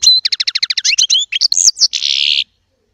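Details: Small Baster European goldfinch in chardonneret song: a fast train of paired chirps speeding into twittering slides, finishing with a long harsh buzzy note before silence.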